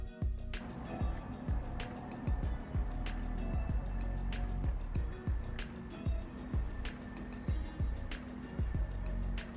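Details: Background music with a steady, repeated beat and low bass; no animal voice is heard.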